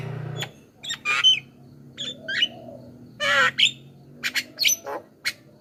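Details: Javan myna calls for luring wild mynas, scattered harsh squawks, a thin whistle and scratchy chattering notes at irregular intervals, with a faint low hum early on.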